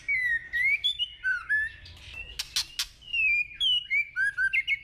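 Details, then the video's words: White-rumped shama singing in the forest-voice style. A steady flow of clear whistled phrases rises and falls, broken by a few sharp clicks, over a faint low background hum. "chòe lửa hót giọng rừng. kéo thuốc lào kích bổi. tiếng chim chích chòe lửa hót"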